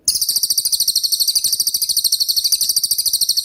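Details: Cililin, a 'tembakan'-type songbird used as training material for other songbirds, giving a continuous stream of rapid, very high-pitched rattling pulses, evenly repeated several times a second without a break.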